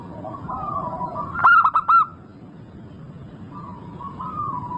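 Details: Local zebra dove singing actively, recorded as a lure to get other zebra doves singing: a short loud burst of four quick, clipped cooing notes in the middle, with softer drawn-out coos from other birds before and after over a low rumbling background.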